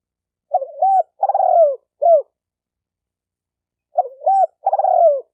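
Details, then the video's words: Spotted dove call for training a newly caught bird: a dipping two-part coo, a long, rolling, falling note, then a short hoot. The phrase repeats after about two seconds of silence. "Tiếng chim cu gáy tập bổi chuẩn nhất chim hay"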